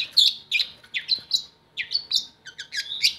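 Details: Long-tailed shrike singing, played to tempt lazy shrikes to sing: a quick run of sharp, high chirps and brief trills packed closely together.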